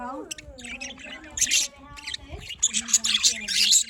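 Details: Morning chatter of budgerigars, with scratchy, warbling bursts of high chirps coming in loose waves, quieter between them, and a faint low hum underneath.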